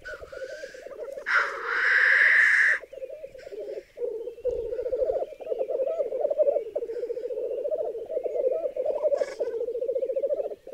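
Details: At a raised-bog lek in Berezinsky Biosphere Reserve, where hens crowd around one cock, black grouse give a loud breathy hiss, then a long, rolling, low bubbling chorus.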